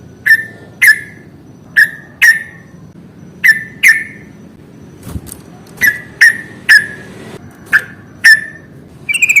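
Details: Trucukan (Yellow-vented bulbul) in a fighting-song lure for birds slow to sing. Sharp, short falling chip notes, singly or in pairs, about a dozen over nine seconds, with one soft thud in the middle.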